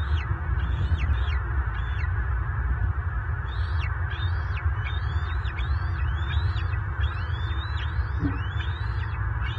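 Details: Southwest Florida bald eagles, March 2023: a nesting male and a pursuing mature intruder grappling, talons locked, ending on the ground. Irregular bursts of shrill, descending and rising piping notes, some overlapping, with constant low-frequency rumble throughout.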